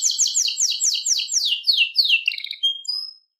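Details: Wild canary singing a fast, high series of descending trilled phrases, repeated rapidly for about three seconds and ending in a few clear whistled notes, in a clean recording.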